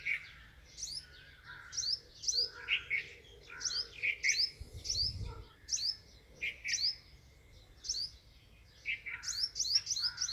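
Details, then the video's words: Sparrow, known locally as chira, chirping steadily with sharp, slightly descending tweets repeated roughly every half second, some notes paired, with a brief low rumble midway. "chira bird sparrow"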